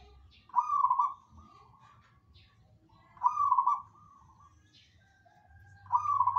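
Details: Zebra dove (perkutut) singing vigorously: soft cooing phrases of quick trilled, bubbling notes, each about a second long and repeated roughly every two and a half seconds against a quiet low hum.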